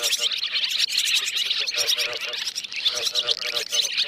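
A dense, continuous chatter of many swallows: high, twittering chirps overlapping without pause, forming a steady bright wash of sound.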